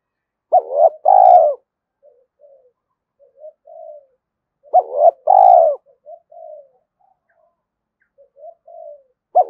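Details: Spotted dove coos used to encourage doves to call: loud two-part phrases roughly four seconds apart, with soft low murmured notes scattered between them.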